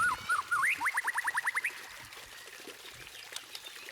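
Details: White-rumped shama song played to get other birds singing: a few wavering whistles then a fast run of rising, evenly spaced notes about three a second... over steady background hiss.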